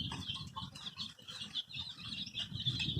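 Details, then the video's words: Colour-dyed baby chicks playing together, giving a steady stream of shrill, overlapping peeps, rapid and irregular, over low shuffling and scratching noises from their movement. "Cute baby chicks chirping sounds|Sounds of Hen kids"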